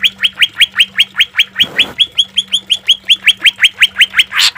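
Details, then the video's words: Green leafbird song recorded for training and therapy: an even, rapid series of rising whistled notes over a faint steady hum, broken by a brief noisy burst and ending in a rough rasp. "Suara cucak ijo full isian suara kasar tembakan gemericik air buat masteran dan terapi"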